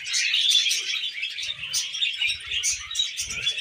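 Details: Tame pet budgies keep up a busy, rapid twittering of high, buzzy chirps and warbled notes, steady throughout with no pauses.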